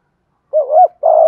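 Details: Single short burst of spotted dove thúc gù cooing, deep thổ voice: a wavering mellow note that rises slightly, a brief gap, then a steady sustained coo.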